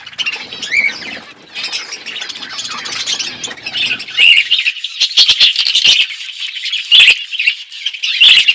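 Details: Budgies chirping in an outdoor aviary, a steady mix of scratchy warbles and squawks with occasional louder sharp calls and possible wing flutters.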